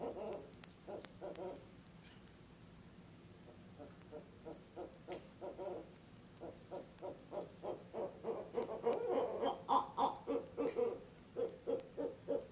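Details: Barred owls visiting a nest box out of season on an October 18 evening at 7 pm, the mate joining in a hoot fest as if claiming the box. Scattered low hoots build into loud, fast, rhythmic pulsed hooting that swells and quickens, over a faint steady hum.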